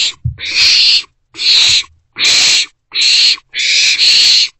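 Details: Three owlets inside their nest box during the morning of 13 April 2024; five or six loud, breathy hissing screeches, each under a second, given in a fairly even sequence.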